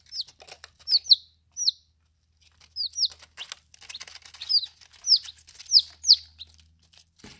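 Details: Baby chicks during their first ten days, eating and drinking, giving high, clear, downslurred peeps, single and in quick pairs, scattered irregularly, with faint soft tapping between.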